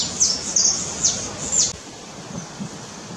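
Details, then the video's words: Red-legged honeycreeper at Cumuruxatiba, Bahia, Brazil: four or five high, thin slurred notes in the first two seconds, then near quiet with faint low rustles. "red legged honeycreeper"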